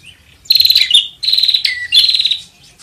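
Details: Bar-winged prinia call used to lure birds: three loud bursts of rapid buzzy, pulsed notes around a high pitch, each dropping briefly to a lower tone, separated by short pauses.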